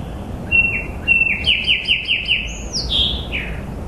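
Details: Songbird singing outdoors: two short whistled notes, then a fast run of descending slurred notes repeated about six times, ending in higher sweeping whistles, over a steady low rumble of background noise.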